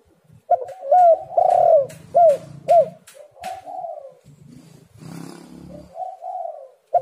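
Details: Spotted dove cooing, recorded to lure doves into calling. A run of loud, downward-bending coos is followed by softer, drawn-out hums. Clicks are heard throughout, with a burst of rough noise near the middle.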